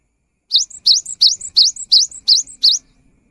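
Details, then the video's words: Gelatik batu in persistent song, played to get silent birds calling: seven clean, high rising two-note phrases at an even pace, quiet background. "Suara GELATIK BATU GACOR"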